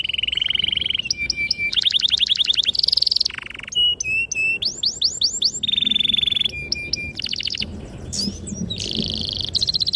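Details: ['Canary song used to lure and train young canaries to sing, described as long, clear and sharp with long rolls: fast varied phrases of rapid high trills, whistled tones and sweeping notes switching every second or so.']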